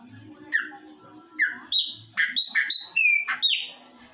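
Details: Chopi blackbird singing indoors, a series of loud notes: two falling slurred whistles near the start, then rapid bright broadband chips and descending whistled phrases, with a low steady hum underneath throughout.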